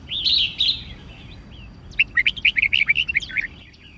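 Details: A red-whiskered bulbul, used to train and stimulate other bulbuls to sing, opens with two bright, warbled phrases, then a quick run of about a dozen chirpy, bubbling notes, rising and falling in pitch.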